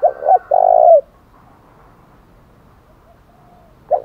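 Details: Fighting challenge coo of a spotted dove in 'thổ đồng' style: two brief low hoots and a drawn-out coo, about three seconds of quiet, then the next phrase begins.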